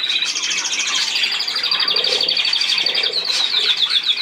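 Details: Budgerigar warble of rapid, evenly repeated high chirps, roughly two to three per second, over constant background chatter.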